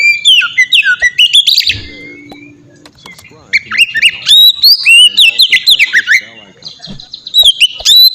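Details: Oriental magpie-robin singing in the clear, sustained ngeplong style, used as a lure to get untrained magpie-robins singing: rich whistled phrases with rapid slurred notes and sharp chips. There is a brief low rumble and a pause midway.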